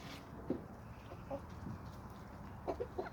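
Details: Chickens from a homestead flock of hens and roosters on a small suburban homestead with sandy soils in Toxandria give short, soft clucks, scattered across the clip, with a quick pair near the end over low background hum.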